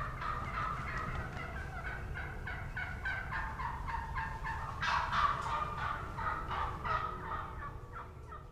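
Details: Young male wild turkeys (jakes) yelping on the ground beneath a young hen on the limb, 30 March 2017; rapid, raspy yelps, about three per second, in overlapping series that swell and fade, with other hens yelping and low rumbling background.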